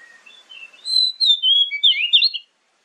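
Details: Oriental magpie-robin lure song, used morning and evening to make other birds answer: soft scratchy notes, then loud clear whistled phrases rising and falling, sharp and varied, ending abruptly after about two and a half seconds.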